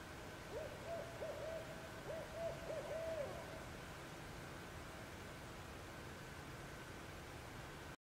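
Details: Owl calling at night from woods nearby; a short series of soft, faint hoots, each slightly rising then falling, bunched over about three seconds, followed by quiet background hiss and a steady faint hum.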